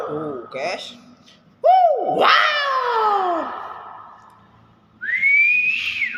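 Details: Nias hill myna: a short nasal note, then a sharp upward-arching swoop into a harsh, descending screech. After a pause comes a clear, pure whistle that rises and holds level before dropping away.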